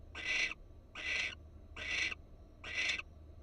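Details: Florida barn owl on a wild nest cam; four loud, scratchy hissing bursts, evenly spaced under a second apart, with a soft low-pitched background drone.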